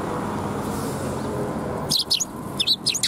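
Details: Several fluffed-up Eurasian tree sparrows recorded on 1 February 2021: after a stretch of low rumbling background, a quick cluster of sharp, high chirps bursts out in the last second.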